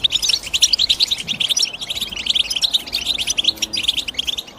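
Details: High, bright chirping of a European goldfinch, rapid staccato notes running into ringing twitters without pause.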